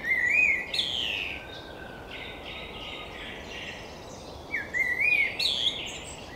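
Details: Blackbird song picked up by a camera-top RODE VideoMicro: two phrases, each a mellow warbled whistle that breaks into a thin, scratchy twitter, separated by a pause of about three seconds, with constant hiss-like ambient noise.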